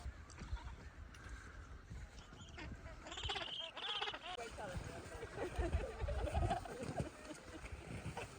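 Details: On land in Antarctica in March 2025, Gentoo penguins give hoarse, braying, donkey-like calls in rough repeated bursts, over wind noise with a person speaking briefly.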